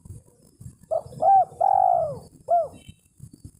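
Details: Spotted dove calling a rival, used as a lure for trapping: a short coo, a longer drawn-out descending coo, then a final short coo, low and hollow, over faint background rumble.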